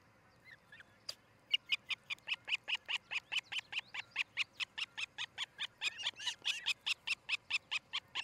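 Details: Osprey at a nest near Charlo, Montana, on a nest camera around 6 a.m. on 13 July 2018; after one faint note, a long, fast run of sharp, high whistled chirps repeats roughly seven times a second, growing louder.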